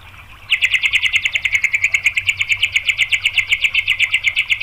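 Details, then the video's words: White-rumped shama used to provoke other shamas into singing: a fast rattling series of sharp notes near the upper-middle pitch, about eight per second after a half-second pause, steady and loud. "MURAI BATU jadi GACOR BONGKAR MATERI TEMBAKAN ¦ PANCINGAN MURAI ¦ SHAMA BIRD"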